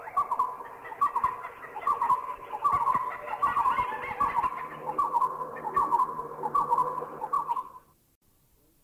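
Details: Oriental pied hornbill giving a harsh, cackling chatter of quick nasal notes in bursts for about eight seconds; recorded in a Thai national park.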